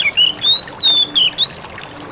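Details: An Oriental magpie-robin giving ngalas song to provoke other magpie-robins into answering; a quick string of clear whistled phrases with upward and downward slurs, closely spaced, then silence.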